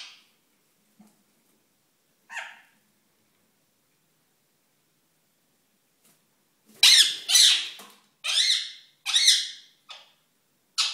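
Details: Ringneck parakeet courting indoors: two isolated squeaks, a long silence, then a loud cluster of five harsh rasping squawks in quick succession.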